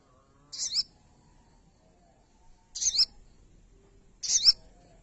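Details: Pin-striped tit-babbler, being tamed and singing after only a day, utters three short high, slightly rasping chirp bursts spaced about two seconds apart against a quiet background.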